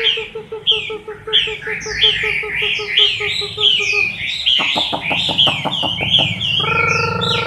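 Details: Chinese hwamei in moult, October 2015, repeating short rising-then-falling whistles roughly every second over a rapid low pulsed series, later joined by loud clicking strokes and a steady low buzz.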